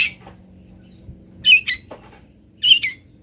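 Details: Local long-tailed shrike giving filler song used as training material: a faint harsh note, then two short scratchy high chirps about a second apart, against a quiet low hum.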